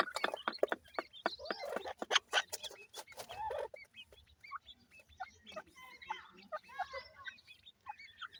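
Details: Grey francolin chicks: dense scratching and rustling noise at first, giving way to steady high peeping from several chicks, the notes short and curved and spaced irregularly.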